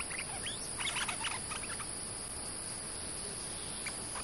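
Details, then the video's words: A bulbul (merbah lekir) lure recording, an active calling bird: a quick burst of bubbly, chattering notes, then a short call near the end, over a steady high insect hiss. "Suara pikat merbah lekir gacor"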